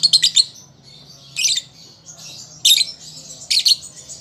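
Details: Young lovebird learning to sing, recorded as a lure to make other birds answer: shrill, scratchy chirp clusters burst out about every second, with softer buzzy chatter filling the gaps.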